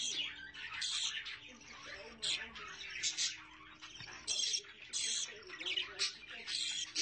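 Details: Budgerigars with chicks give intermittent bursts of scratchy chirping and sharp squeaks, separated by quieter stretches, over a faint low tonal hum.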